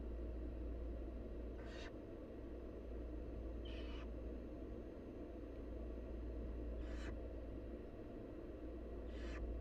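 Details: Begging from wild barn owl chicks as their mother feeds them: four breathy, rasping hisses, each under half a second, spaced irregularly over a constant deep droning hum.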